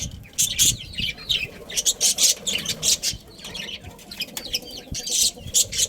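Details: Budgies in a breeding colony produce a continuous stream of high, scratchy chirps and twittering bursts, pulsing irregularly several times per second with overlapping voices.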